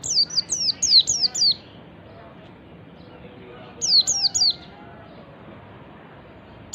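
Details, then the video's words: Wild ngalas white-eye song played to lure other birds: a run of five high descending chips, a long quiet gap, then three more and a lone final note. "pancingan pleci ngalas memancing bunyi pleci"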